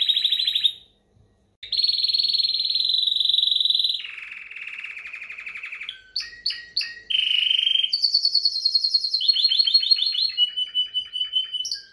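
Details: Timbrado canary song with a short opening phrase, a pause, then long buzzy rolling trills at shifting pitches, choppy bursts, and high rapid pulsed rolls.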